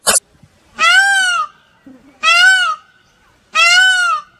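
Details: Peacock calls near a peahen and family group: three loud, nasal, harmonic wails, each about two-thirds of a second, arching slightly in pitch and repeated roughly every one and a half seconds, with a brief click at the start.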